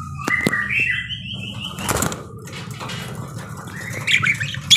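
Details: Parakeet giving a long, stepped whistle that rises then holds steady, then a pause with rustling or flapping, and a final burst of shrill chattering chirps.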